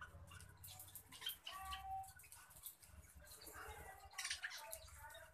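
Budgerigars chatter in quick, overlapping squeaks and warbled chirps, likely several birds at once, over a low rumble of background noise.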